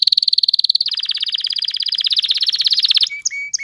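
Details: Canary (Serinus canaria), song.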